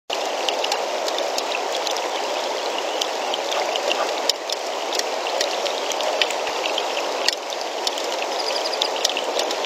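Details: Dense rain-like hiss with frequent crackling ticks throughout, and no animal calls audible.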